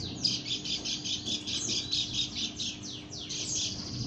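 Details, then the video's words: A female white-eye of the Lombok type makes a strange call, a quick series of high chirps, some sweeping downward, repeated a little over twice a second with a faint hum beneath. "burung pleci lombok suara aneh"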